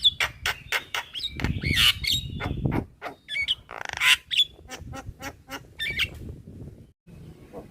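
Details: A white-eyed black-winged myna nodding as it sings, in a recording meant to train cage birds: dense, scratchy chatter with squawks and brief whistled notes, a buzzy grating phrase near four seconds, low rumbling background, and a pause before the end.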